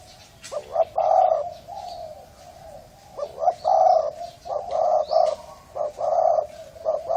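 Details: Spotted dove of the Thai strain with a hoarse voice, cooing to excite males, females and wild birds: low, husky coos in short bursts and longer rolling phrases, repeating through the recording, with faint higher chirps behind.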